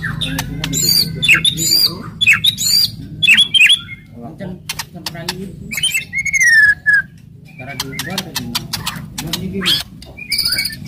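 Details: Aggressive White-rumped shama delivering hard kretekan and tembakan phrases to excite rival shamas: bursts of bright high whistles and crackling notes, a long wavering slurred whistle midway, then further sharp clicks and high notes.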